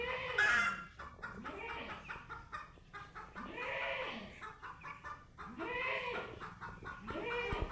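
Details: Chicken meeting a cat for the first time, giving quick rhythmic clucks in steady runs, mixed with several long, drawn-out arched meow-like calls from the cat.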